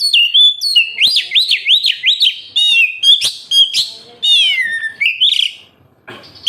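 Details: Kacer (oriental magpie-robin) song meant to prompt captive birds to sing: a run of bright rising-falling whistles, then scratchy notes and a long descending slur fading out.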